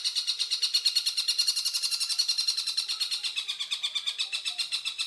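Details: Rapid, coarse chattering of a stork-billed kingfisher, meant as a master recording for teaching songbirds: a steady stream of grating notes, around seven per second, holding a fairly even pitch throughout.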